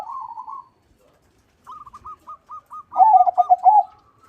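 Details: Crossbred zebra dove (perkutut), a keen singer with a big voice: a soft trilled coo, a pause, a row of short soft notes, then a loud rolling phrase of quick bubbly coos.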